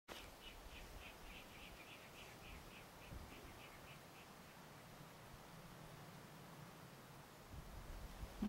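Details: Virginia rails in a large spring-fed wetland, Walworth County, Wisconsin, 29 December 2012, responding to call playback (two of six gave a grunt duet): quick series of about a dozen clipped notes, three per second, fading after four seconds, over low rumble.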